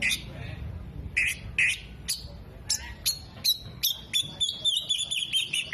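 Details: Oriental magpie-robin in lively song with open tail, copying kolibri, jenggot and lovebird: spaced raspy bursts giving way to an accelerating series of sharp high chips and twittering.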